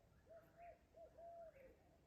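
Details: A distant Barred Owl calls late at night on the Virginia–West Virginia border with a whip-poor-will also calling: a few short mellow hoots, then a long drawn-out hoot that drops at the end, over faint night hiss.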